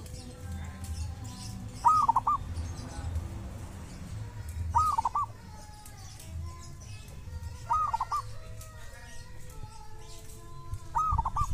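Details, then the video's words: Wild local zebra dove at a sacred tomb, said to have a distinctive voice. Moderately faint phrases, each a rising coo with rapid bubbling notes, repeat about every three seconds over low rumbling background noise. "perkutut lokal dari MAKAM KERAMAT ‼️punya suara cirihas tersendiri"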